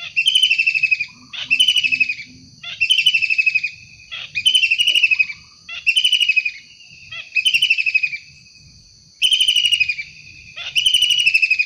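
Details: Long-tailed shrike in the wild giving a rapid series of eight short, harsh, buzzy rasps, each under a second and repeated about every one and a half seconds, with faint background chirps.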